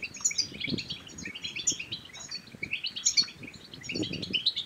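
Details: Goldfinch song for motivating other goldfinches to sing and mate, bursts of tinkling, twittering notes with high sharp accents roughly every one and a half seconds, low rumbling knocks.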